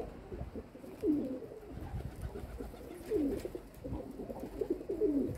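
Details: Domestic pigeons kept by their owner, recorded 27 May 2022: soft, low coos roughly every two seconds, each a short bending note, fairly faint against a steady murmuring background.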